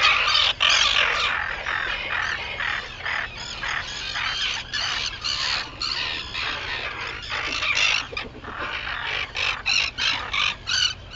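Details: Harsh, grating cries from many Arctic terns at sunrise on Seal Island, Maine, 11 June 2018, pouring out almost three per second in a dense, uneven chorus over a low background rumble.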